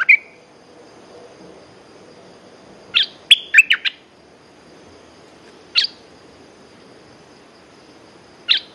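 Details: Caged Red-whiskered bulbul giving sparse single sharp chirps spaced several seconds apart, with one brief cluster of quick notes in between.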